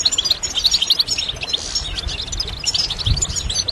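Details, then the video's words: European goldfinch singing, recorded for stimulation: quick high chirps and clear whistled notes run into a busy, jangling twitter, with a soft low thump near the end. "stimulation de chardonneret élégant"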